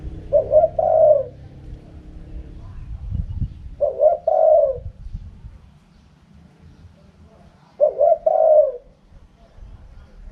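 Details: Spotted dove, 'karam pa' wild-style cooing: three hoarse phrases about four seconds apart, each a quick double coo sliding into a longer rolling note, quiet rural background with a brief low thump between phrases.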